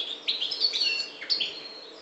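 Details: Brief fragment of Maghreb European goldfinch song, parva subspecies: a few quick rising chirps and a thin, tinkling twitter.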